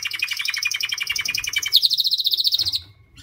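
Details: A white canary sings a dense rapid trill, then switches to a higher, brighter rolling trill of evenly spaced notes before falling silent.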